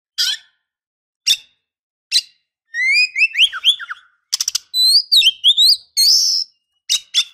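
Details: Sharp isolated chips from a female oriental magpie-robin, calling to provoke a male into song, lead into a tumbling run of sliding whistles, a clicking rattle and rough, harsh notes.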